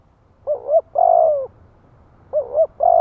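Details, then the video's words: Spotted dove decoy song meant to draw wild doves into replying: a low wobbling two-part note and a sustained, gently falling coo, repeated about every two seconds. A faint low hum runs underneath. "Tiếng chim cu gáy kích mồi cực chuẩn - Bổi nghe là gáy theo"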